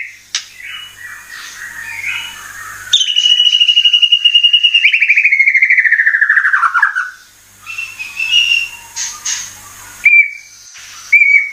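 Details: White-rumped shama (murai batu) lure recording with a rapid, rattling trill that slides gradually downward over about four seconds. Scattered whistles and short rising notes follow, with a faint low hum in the background.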